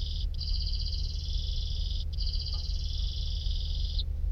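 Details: Canary singing a long, even rolling trill of rapid pulsed notes, briefly broken once, then held for about two seconds before stopping; a steady low hum runs underneath.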